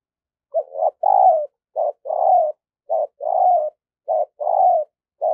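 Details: Spotted dove kept as a decoy bird for luring wild doves, singing in daily voice training. Its low, hoarse cooing phrases come as a short note followed by a longer drawn-out coo, repeated about once a second.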